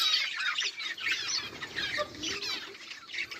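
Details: Recorded on 18 July 2023, several budgerigars warble and chirp at once, a wavy, scratchy chatter of rising and falling notes with no break.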